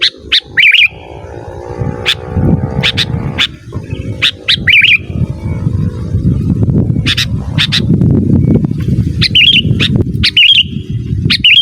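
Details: Sooty-headed bulbul song used to lure wild birds and train caged bulbuls; short chirp groups ending in bubbly warbles, spaced a second or more apart, over loud rumbling noise and a faint humming tone.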